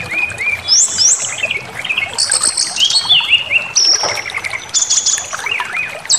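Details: Brown-chested jungle flycatcher lure song meant to provoke rival birds into agitated full singing: varied clear whistled phrases, some flat and held, some sliding or stepped, high and pure, following one another without pause.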